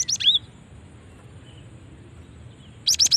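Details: Female cinereous tit call for luring other birds: two high chirps opening the recording, a long quiet stretch, then a quick burst of three sharp rising notes.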